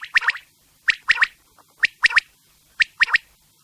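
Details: Quail calling at night: crisp, sharp whistled notes delivered in tight triplets, each group repeated about once a second against an otherwise silent background.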